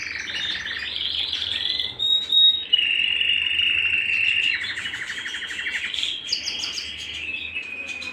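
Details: At home, a canary sings in changing tours: a fast trill, a brief pure whistle, a long sustained rolling tone, then a stuttered, faster rattle and a final rising, chirpy phrase.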